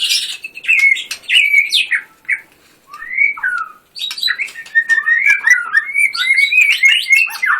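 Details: White-rumped shama, a contest songbird in full 'gacor' singing with 'tembakan' bursts: rapid varied whistled phrases and sharp chattering notes sliding around mid-high pitch, with brief pauses between outbursts.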